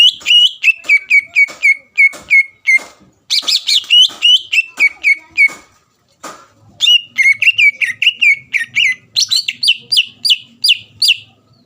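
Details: Greater green leafbird, a lively singing bird used to provoke rivals into singing; rapid series of loud whistled notes near one pitch, repeated about four times a second, with short pauses and a brief break midway.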